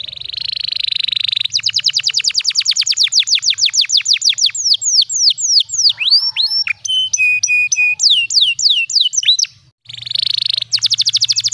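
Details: Canary tutor song (pancingan) with special cengkok phrasing for young birds: a buzzy roll gives way to a long rapid trill of descending notes, then looping swoops, flat whistled tones, another buzz and a fast trill.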